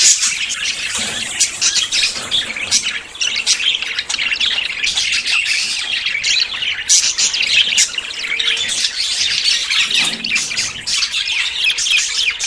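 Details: Budgerigars courting and about to breed: a dense, continuous chorus of many birds warbling, chirping and squawking, with high scratchy notes overlapping without pause.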